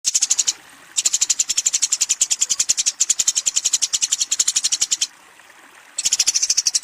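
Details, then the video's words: Eurasian tree sparrow fighting and calling a rival: rapid, high, dry chirps run together in a fast chatter, in bursts of about half a second and four seconds, separated by short quiet gaps. "suara burung gereja tarung memanggil lawan"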